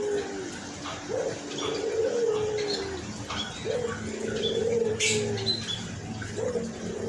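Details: Hoarse white collared dove, albino, keeps up low, steady coos, each with a brief rising start, roughly every two to three seconds, over a background of faint bird chirps.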